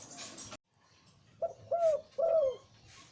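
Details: Breeding male zebra dove with a deep voice, after a brief noise and pause: one short low note, then two longer, fuller coos that swell and slide downward.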